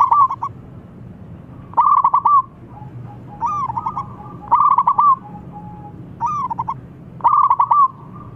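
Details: Local zebra dove calling and a rival replying straight away: bursts of rapid rolling coos, each closing with a longer rising-falling coo, repeated about every one and a half seconds over low background hum.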